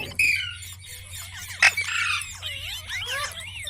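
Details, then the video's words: Pet green parrot, from an Indian talking-parrot compilation, giving loud harsh squawks and looping warbled chatter, a sharp burst midway and wavering rising-falling notes toward the end, with a low hum behind. "Amazing parrot talking videos | Parrot sound | Parrot voice | Tote ki Awaaz | mitthu mitthu"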